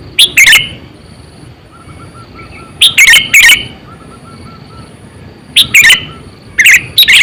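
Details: Sooty-headed bulbul, a lure bird about eight to nine years old used for trapping, giving short loud bursts of bubbling, chirpy notes at about 0.5, 3 and 6 seconds, with quieter faint notes between bursts.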